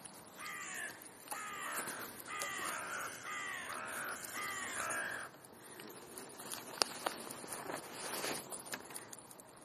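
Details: Rooks visiting a park as winter approaches; a run of five harsh, hoarse caws in close succession, each falling slightly, followed by quieter rustling and clicking sounds in the park background.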